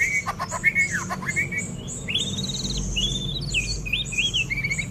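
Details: A six-month-old white-rumped shama, hatched 12 October 2024, delivers a rich run of whistled phrases. Fluty notes rise and fall, mixed with quick high chips and a few slurred, buzzy sweeps.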